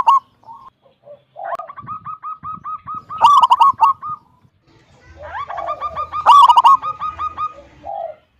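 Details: Wild local zebra dove with a big 'kung' voice, used to lure other doves into singing. Rapid strings of short clipped coos are broken by two loud, rolling, harmonic-rich bursts, with softer low cooing between phrases.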